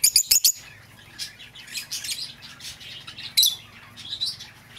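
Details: Lovebird calls for recalling an escaped bird: a rapid burst of piercing chirps opens, followed by softer twittering and one more sharp squeak cluster later.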